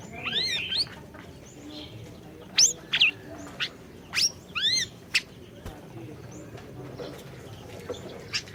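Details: Lively orange-bellied leafbird singing, played to coax a silent bird into song: opening run of arched, ringing whistles, followed by scattered sharp high chips in short pairs, fading to quieter notes near the end.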